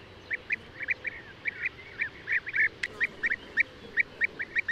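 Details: Mid-pitched rolling calls of European bee-eater (Merops apiaster), about one note every fraction of a second, with a sharp click and a drawn-out note near the middle.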